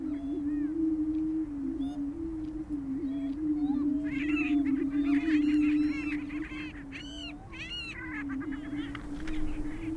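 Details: On a Minnesota booming ground, displaying prairie chickens keep up a continuous low booming hum while shrill cackles and whooping calls break out repeatedly above it.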